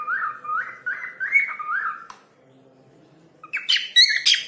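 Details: Trained cockatiel whistling a person's name: a run of five rising, slurred whistled phrases, then a pause and a burst of harsher, higher chirps and squawks.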